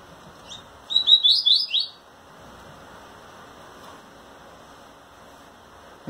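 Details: One brief, quick phrase of high, sweeping whistled notes from a caged brown-plumaged double-collared seedeater courting a female with trembling wings, then a long stretch of quiet room hiss.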